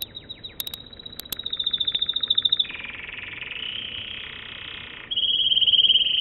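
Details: Song of an American Singer canary: scattered chirps and sharp clicks, a pulsing high trill, a long lower buzzy roll, then a loud steady high trill to the end.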